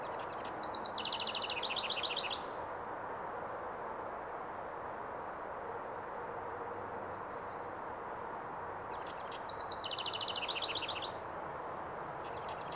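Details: A house wren sings two bubbly, rapid, high trilled phrases, each about two seconds long and roughly eight seconds apart, over a steady background hiss.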